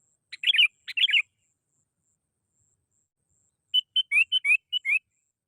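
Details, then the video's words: Lure call of a sooty-headed bulbul: two bubbly warbled phrases, a pause of over two seconds, then a series of short whistled notes alternating flat and upslurred, around six in a second and a half. "SUARA PANGGILAN BURUNG KUTILANG GACOR"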